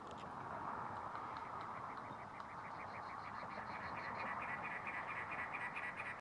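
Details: Cactus wren calling in the desert of North Phoenix, Arizona: a long, steady run of harsh, grating notes, about five a second, over a constant low rushing background.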